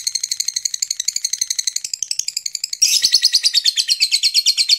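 A Lilian's lovebird chatters in a long, fast run of shrill, high chips, about three per second, turning harsher and louder midway.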